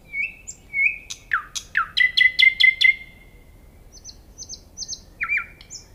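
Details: Common nightingale song: drawn-out whistles, downslurred notes, a series of five loud clipped notes, then soft high pipes and a short whistled ending.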